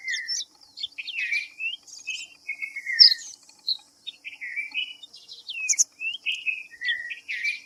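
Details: Red-vented bulbul giving a lively series of chirpy, slurred notes, often dipping then rising, in quick bursts. A constant thin high buzz and other small birds' sharp tweets are heard behind it.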